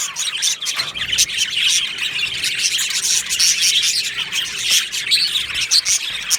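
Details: Colony of budgerigars in an aviary, recorded 22 June 2025, giving a steady wall of bright twittering and warbled chatter with occasional clearer whistled notes near the end.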